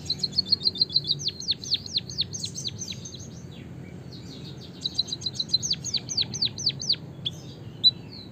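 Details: White-headed munia singing as a lure for other birds: two bouts, each starting with fast, high, trilled ticks and running into a chain of downward-swooping chirps, separated by a brief quiet gap.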